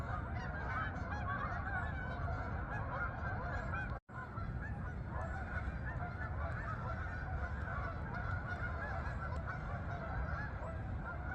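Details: Honking geese on their way to fields in the Farmington, Connecticut meadows; many overlapping calls over low rumbling background noise, with a brief silent gap about four seconds in.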